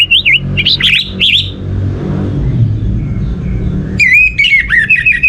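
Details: Orange-headed thrush song played to stimulate other birds to sing: bursts of loud, varied whistled phrases with rapid upslurs and wavering notes, separated by a pause of low rumbling background noise.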